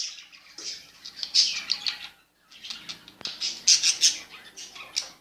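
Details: Newly bought pet budgerigars, several birds together, giving high chirps and squawky chattering calls in short bursts, with a pause near the middle and soft wing flapping mixed in.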